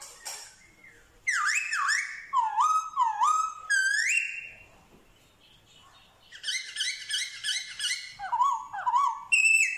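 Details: Vietnamese Black-throated laughingthrush, a newly caught bird in training, imitating dogs, cats and chickens. Loud, bright whistled phrases of looping and dipping notes come in two bursts separated by a short quiet pause.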